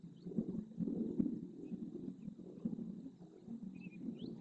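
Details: Flamingos in a group display dance in the Doñana marshes at El Rocío, Spain, stretching their necks, flicking their heads, flapping and splashing. A softer, steady murmur of low grunting calls is heard, with a few faint high chirps in the background.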